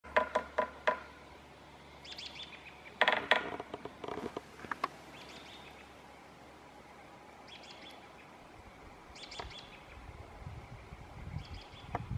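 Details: Red-breasted Sapsucker on Vancouver Island: a quick run of sharp, nasal notes, then one loud burst and scattered high, thin chirps over quiet background noise.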